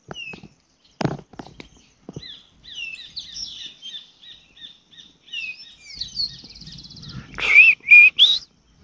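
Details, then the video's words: Grayish Baywing (Agelaioides badius) sings a chattering series of clear, warbled whistles, ending in louder rising and falling notes, near a streamside campsite; a few knocks and rustles early on. "Tordo músico Agelaioides badius"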